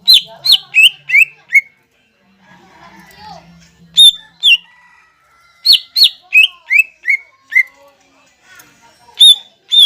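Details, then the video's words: Greater green leafbird song played as a lure to rouse other leafbirds to sing: loud series of sharp, descending whistled notes in quick runs, pausing between phrases, with faint chirps and low murmurs between. "PANCINGAN CUCAK IJO GACOR INI MAMPU MENAIKAN EMOSI IJO BAHAN AGAR BUNYI GACOR"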